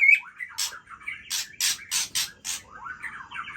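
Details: White-rumped shama at midnight mixing harsh, scratchy bursts with short sliding whistles, the rasping notes clustered in the middle and rolling whistles at the start and end.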